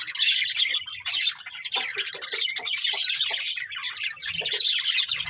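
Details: Colourful budgerigars, a breeding pair, warbling and chirping nonstop: high rapid twitters mixed with lower clicking chirps.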